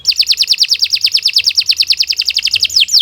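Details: Canary trill for tutoring: a steady fast roll of bright downward-sweeping notes, about six per second, throughout.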